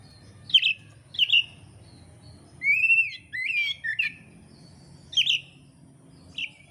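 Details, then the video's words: Oriental magpie-robin from Indonesia, offered as training song for cage-bird keepers: a varied run of sharp chirps and rising and falling whistles, some slurred, irregularly spaced over about seven seconds, with a low background hum. "kacer gacor materi komplit kicau mania Indonesia"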